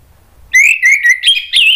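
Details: Orange-headed thrush giving a lure phrase (pancingan) to get other thrushes answering: a loud onset, then a string of rhythmic whistled notes, each rising and dipping, ending on a higher held whistle.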